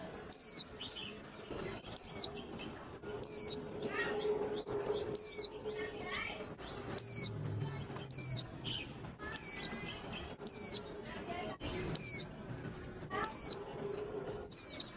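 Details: Female white-eye voice used to stir male birds into singing for contests: a high, thin, downward-sliding whistle repeated about thirteen times at roughly one-second intervals, over a constant high tone and faint chirps.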